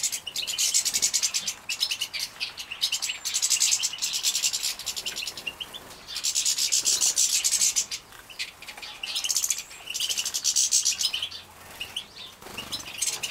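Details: Captive-bred young European goldfinches being fed, Poland, 2017: repeated surges of harsh, buzzy, high-pitched chattering lasting one to two seconds each, with brief pauses and a few thin chirps between.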